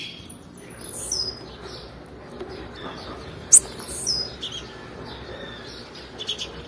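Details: Blue-black grassquit female calling to excite males: one loud, piercing high chirp midway, flanked by a few fainter high notes, against a continuous low hiss.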